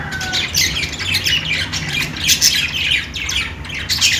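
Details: Several budgerigars chirping, bursts of harsh squawks and warbling chatter with high scratchy notes, continuous and overlapping, steady low hum underneath.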